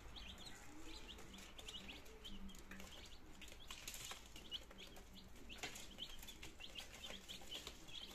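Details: Chicks on their second day, all nineteen healthy, in Germany on 17 September 2022 as they start to eat and drink; thin high peeps in loose clusters alongside soft rustling and a steady low hum.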